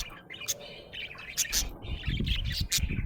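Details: A budgie, described as happy, gives sharp, bright chirps in quick uneven bursts. Broadband clicks and some low thumping sounds come between them.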